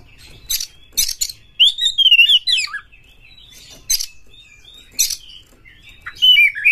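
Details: Fast white-rumped shama song meant to stir other shamas to sing: a long sweeping whistled phrase with rising and falling slurs, broken by loud scratchy rasps and a final bright warble.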